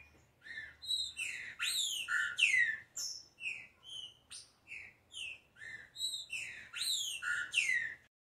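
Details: Green-winged saltator warming up to sing: rich, fluting whistles, some sweeping up then down, strung into a long continuous phrase of separate notes of varying pitch, rising in loudness toward the end.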